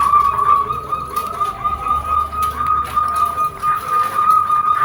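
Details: Zebra dove singing, used to prompt reluctant doves to sing: a thin, steady, fast-pulsed trill on one pitch that runs almost continuously, with low rumbling noise underneath.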